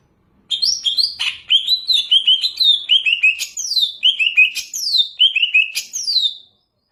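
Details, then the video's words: Banyuwangi greater green leafbird singing richly, opening with varied high chattering notes, then a run of repeated phrases of descending whistles each finished by a long falling sweep, about one per second, ending abruptly. "Cucak ijo bebeci banyuwangi super gacor mewah"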